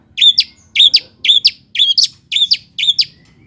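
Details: Long-tailed shrike (cendet) song to stir lazy birds into song: rapid double-noted chirps, each pair a warbled note followed by a sharp one, repeated six times in quick succession.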